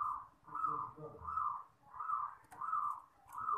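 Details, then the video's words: Perkutut (zebra dove) cooing, offered as champion song for training young birds: long soft rolling coos repeated about every 0.75 seconds, with faint low background sounds and a few clicks. "PERKUTUT JUARA Suara TERBAIK!!! Melatih Perkutut Bakalan"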